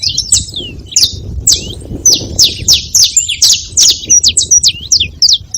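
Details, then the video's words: At a feeding spot, saffron finches chatter in high, downslurred chirps that start spaced out and then speed into a tight run of short notes toward the end. "Canário da terra fazendo barulho na seva"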